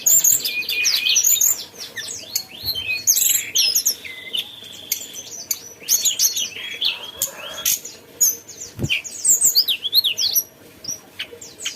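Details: Mountain tailorbird singing energetically: dense, rapid high chatter of whistles and slurred notes, including a sustained level whistle and zigzagging phrases, with quieter gaps between bursts.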